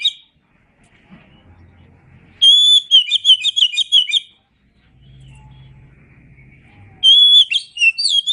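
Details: Masteran song of kacer, the oriental magpie-robin: long whistle opening into a rapid string of chattering warbled notes, a quiet gap with low droning background, then another whistled phrase and chatter.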